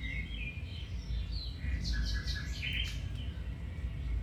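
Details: Domestic canary singing, a training recording: rising whistled notes followed by a quick series of repeated chirps and a short buzzy trill, against low steady noise.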